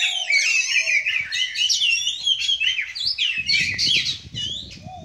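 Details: Kacer, the Oriental magpie-robin, at a relaxed Sunday bird meet-up: rich, continuous song of slurred whistles and quick warbled notes, with scratchy sounds and a low rumble of background noise joining in the last seconds.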